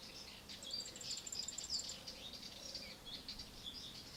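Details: Eurasian wryneck chicks fed termites, ants and other insects by adults, Alzira, Valencia, May 2016: thin, high buzzy begging chirps in quick bursts, with a soft low repeated note behind.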